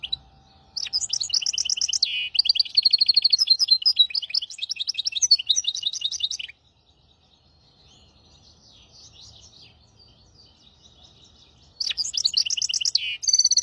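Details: Hybrid bird, a 'maestro' singer, in song used to tutor goldfinches and canaries: dense high trills, warbled phrases and rapid twittering run for about six seconds, then a pause before the bright trilling bursts back at the end.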